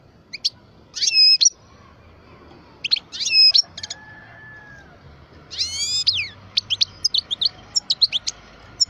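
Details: Twelve-year-old European goldfinch of the parva form, a kept bird, singing liquid, ringing phrases with drawn-out, layered notes, then ending in a rapid run of sharp, high twitters.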